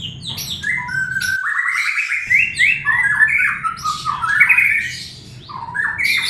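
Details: White-rumped shama song used to coax a reluctant bird: a continuous stream of loud whistled phrases, rising runs and rapid trills mixed with harsh squawky notes, broken by one short silence early on.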